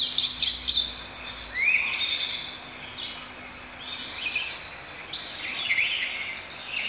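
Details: Indigo bunting song phrases packed closely together, sharp sweeping high notes and one quick rising slur, continuing almost without pause across the recording, with soft background hiss.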